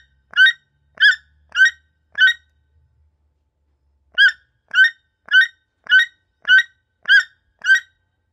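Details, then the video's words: Multicoloured toucan perched and resting in the Amazon rainforest, giving a steady series of hoarse croaking calls about every half second, four in a row, a short break, then eight more, with nothing else audible. "Voice of Toucan, toucan bird sound"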